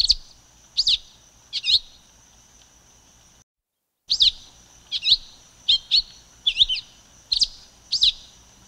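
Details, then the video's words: Silver-beaked tanager (Ramphocelus carbo) song: sharp, high, chirped notes, some single and some doubled, in an uneven series of roughly one per second, with a faint background hiss. "Canto da Pipira Vermelha Ramphocelus Carbo"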